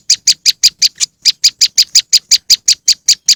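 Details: Quick, high-pitched chips from a moss wren lure follow one another at about five per second, with a slight stumble near the one-second mark.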